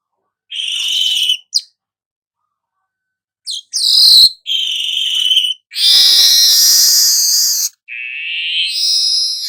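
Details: Golden-headed weaver delivering buzzy, scratchy phrases and a few sharp clicks, ending in a long rasping note, in a recording used to tutor songbirds.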